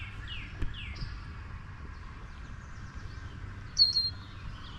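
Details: Chirps of a bird in spring mating season. A phone plays back its own voice and it keeps returning, taking the recording for another bird. Quick downslurred whistled notes open, then a louder, higher sharp note, over faint background hiss.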